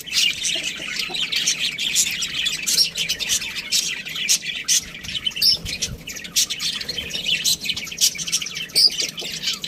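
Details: Continuous budgie chirping, an unbroken, scratchy warble of high squeaks and short trills with occasional sharper notes standing out.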